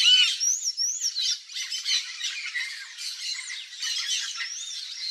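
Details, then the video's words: Yellow-faced parrot, papagaio-galego, in its natural Cerrado habitat: scratchy squawking chatter, loudest at the start, with high whistled wavy notes from other birds layered over it. "YELLOW-FACED PARROT Singing"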